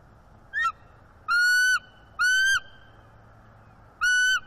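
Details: Female bald eagle perched on a branch with her mate on a morning in early December, giving mating vocals and bowing her head to signal interest; three loud, harmonic, slightly arched squealing notes with a shorter high chirp before them, spaced about a second apart.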